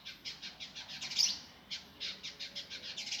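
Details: Indigo Flycatcher, gavor kasar style sung fast and tight as a training master: rapid rows of high buzzy chips, about six per half second, with a brief pause midway before the rattling run resumes.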